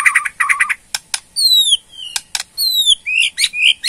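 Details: Borneo white-rumped shama giving its rattling ketrekan call, said to draw a response: fast buzzy rattle bursts, then sharp clicks and clear descending whistled slurs.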